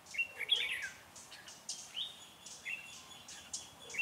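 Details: During bird trapping on 16 January 2017 in Vietnam, a decoy red-whiskered bulbul sings to draw wild rivals; clear whistled phrases, some rising and falling, come roughly every half second to second, with overlapping chirps from other birds.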